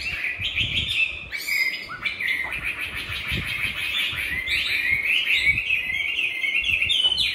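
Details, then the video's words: Caged, tamed Chinese hwamei from Hanoi, Vietnam, giving its fighting song: a loud, continuous run of varied whistled notes and quick slurred trills, rich and fast-changing throughout. "Mi thuần hót đấu"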